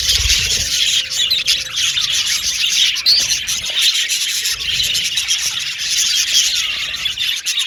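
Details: Male violet budgerigars in an aviary colony, loud nonstop chattering and squeaky chirps from many birds, with a short low hum and soft thumps near the start.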